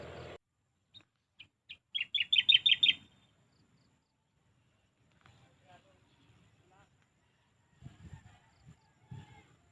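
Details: After a brief burst of noise, a bird gives a few spaced chirps that run into a rapid, loud series of about eight high notes. Long near-silence follows, broken by faint low rustling sounds.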